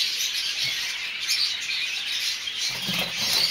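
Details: Mixed colour varieties of masked lovebird (mauve, olive, cobalt, dark-factor violet) keep up a steady high, scratchy twittering chorus, many chirps overlapping, with some soft low rustling near the end.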